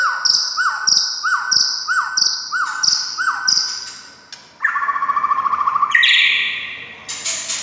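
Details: White-rumped shama song meant to stir other shamas to sing: a quick note dropping in pitch repeated about seven times, then a fast trill and rising whistled phrases.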